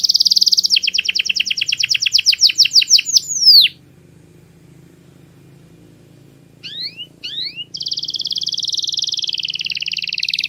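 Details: Canary singing a tutoring song praised as very clear: a high rolling trill slowing into separate swooping notes, a pause of silence, two sharp rising chirps, then a steady rapid high roll.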